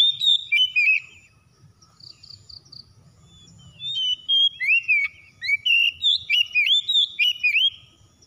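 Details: Spotted dove call used to provoke fighting: soft low cooing notes, then two loud arched coos, the second long and drawn out, ending with quieter coos.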